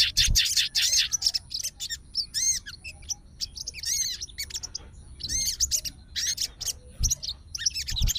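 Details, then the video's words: Emotional fighter sooty-headed bulbul answering another bulbul's song. Short bursts of sharp chattering mix with rich, downslurred whistles in loose, irregular phrases, separated by brief pauses, with occasional dull thuds. "SOGON FIGHTER LANGSUNG RESPON DENGAR SUARA SOGON GACOR"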